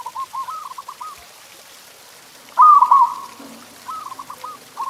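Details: Local zebra dove cooing to stimulate pet doves: soft pulsing coo notes, then one loud bright phrase of quick stuttering notes midway, softer rolling coos following after it.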